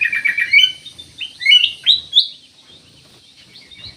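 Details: Black-capped bulbul song: quick chattering notes, then several loud rising whistled slurs in a row, followed by quiet.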